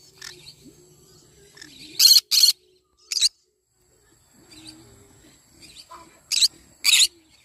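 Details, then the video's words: Yellow-sided conure in the morning: faint soft chatter broken by loud harsh squawks, a quick pair, a single one, then another pair, all rasping and broadband. "Yellow sided conure singing sounds in the morning."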